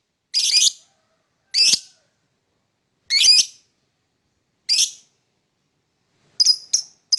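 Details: Morning chirping from a lovebird: harsh, high, scratchy single notes about every one and a half seconds, ending in a quick cluster of three shorter chirps.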